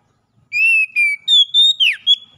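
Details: Loud oriental magpie-robin whistles used as recovery therapy for caged birds: steady, slightly falling notes, then higher level ones and a sweeping downslur.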